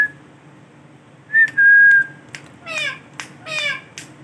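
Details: Male Ringneck parrot producing a sustained, pure whistle, then two harsh, harmonic, downward-sloping calls.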